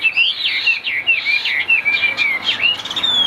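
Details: Caged Chinese hwamei showing white wings and tail pours out a high, clear whistled song from its upper perch, fluid looping phrases with sharp upward flicks and a sustained bright final note.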